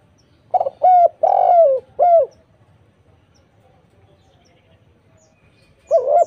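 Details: Spotted dove cooing on a lure track meant to make other doves sing back: a quick stutter, then three to four rounded hoots, the long one falling at its end, silence, then a new wavering coo starts.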